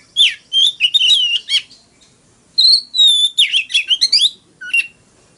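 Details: An Oriental magpie-robin's fighting song: a burst of tumbling warbled notes, a pause, then a long pure whistle followed by more fast chirps and a final low whistled note.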